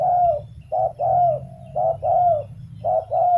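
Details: Close, loud spotted dove cooing: paired short and long coos repeated roughly once a second, the longer notes arching slightly and dropping at their ends, low background hum.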